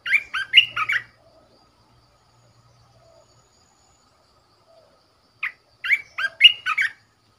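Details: Red-whiskered bulbul decoy bird delivering two jaunty phrases of four or five looping whistled notes each, separated by a long pause.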